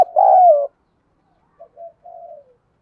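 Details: Prompting coo of a spotted dove, native-style voice used to excite other doves into responding: a loud, drawn-out falling low coo, a pause, then a quieter phrase of two short notes and a longer fading coo, otherwise silent.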